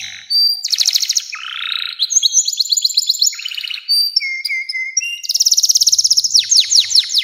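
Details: Canary singing long unbroken phrases, meant for training young birds. The song mixes harsh buzzy bursts, fast rattling trills, steady whistled notes and sweeping downslurs in quick succession, loud and continuous.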